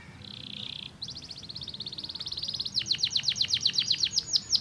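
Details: Stimulating canary song starting with a soft buzzy trill, then a rapid rolling series that builds in volume into clear downward-slurred whistled notes repeated about four per second.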